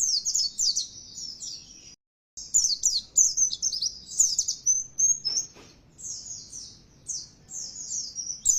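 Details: Oriental white-eye lure song played to make kept birds sing loudly and persistently: continuous high twittering of rapid falling notes, broken by one brief silent gap, then resuming in long busy phrases.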